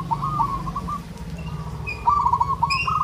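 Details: Local zebra dove calling for a mate: short staccato coo phrases, a fainter run followed by a louder trilled burst, over a steady low hum.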